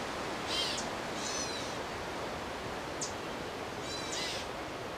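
A young Eastern screech owl gives four brief, raspy, high-pitched screeches at uneven intervals over a steady background hiss.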